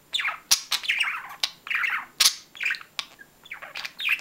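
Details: Dense, continuous budgerigar warbling: quick twittering notes, slurred chirps and sharp clicks run together without pause.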